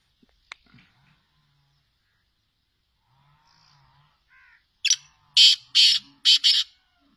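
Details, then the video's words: Sindhi black francolin calling: after quiet faint sounds, a harsh grating phrase of four loud rasping notes in quick succession. "Kala Teetar ki awaz | Sindhi kala teetar ki awaz"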